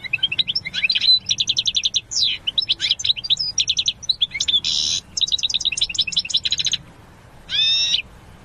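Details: European goldfinch singing a bright, rapid jumble of high chirps and rolling trills, broken by short harsh buzzy notes, ending after a pause with one nasal, wheezy call.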